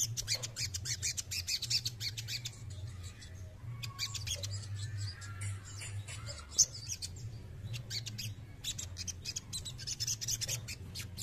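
A male crested jay gives harsh, rattling bursts of rapid clicks and squawks in quick runs with brief pauses, over a steady low hum.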